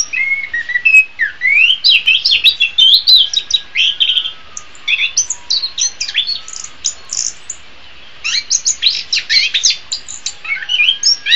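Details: Orange-headed thrush song for training birds in the morning or afternoon; rising whistles lead into rapid high twittering, a short pause, then another vigorous burst of chirped notes.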